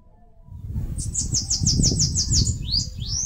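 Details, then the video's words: High, thin, rapidly repeated notes, about nine in a row, followed by two sharp rising squeaks, sung by a Bananaquit building a nest in a mandacaru in northeastern Brazil, over low background rumble. "CANTO do CAGA-SEBO (SIBITE, CHUPA CAJU..)"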